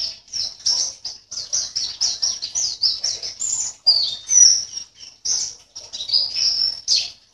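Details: Indonesian singing-competition white-eye, caged, from Sambas in West Kalimantan, delivering a lively, high twittering song of rapid chirps with a few drawn-out slurred whistles in the middle.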